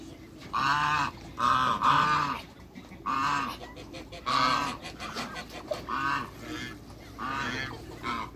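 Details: A pair of African geese kept in a backyard give loud, harsh, nasal honks in a series of about seven, each lasting roughly half a second, with low grunting notes between them and faint farmyard background.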